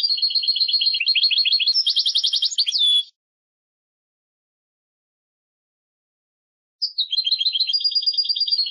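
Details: European goldfinch song: a three-second burst of rapid, high twittering notes leading into a buzzy trill and a falling slur, then nearly four seconds of silence before another run of quick repeated notes begins.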